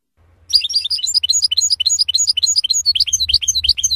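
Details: European goldfinch F.O.C.S.E training song for young birds: dense, rapid twittering in varied high notes, unbroken for over three seconds, over a low background hum.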